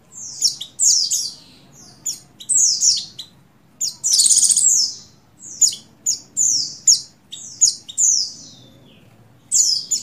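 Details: A female Oriental white-eye of the buxtoni form, in breeding condition, calls a male. A lively run of high, thin, falling whistles and chips comes in rapid succession, broken once by a loud buzzy rattle.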